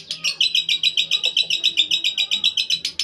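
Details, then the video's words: Short, evenly paced lovebird ngekek, a clean run of sharp piercing chirps repeated steadily about four per second. "Lovebird RAJA ngekek istimewa"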